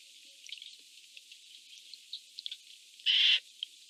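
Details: Eurasian jay among jays fighting over food, giving a single harsh, rasping screech of about a third of a second over a steady high hiss, with faint ticks and scratches.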